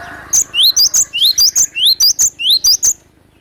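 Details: Cinereous tit with a natural wild-bird lure song used to attract birds: loud, clear whistled phrases of downslurred and upswept notes, repeated rapidly in pairs and triplets, with faint background hum.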